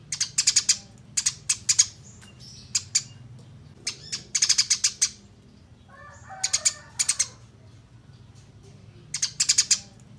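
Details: Eurasian tree sparrow, clear training recording for songbirds: separate bursts of three to five rapid, high chirps every second or two, with a short softer twitter midway and a quiet background.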